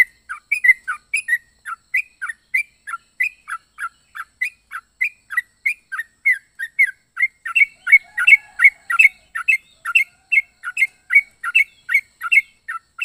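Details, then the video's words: Yellow-vented bulbul (trucuk) singing an extended stream of varied bright chirps and warbled notes, about two or three per second, continuing steadily throughout. "Burung trucuk unik suara aneh"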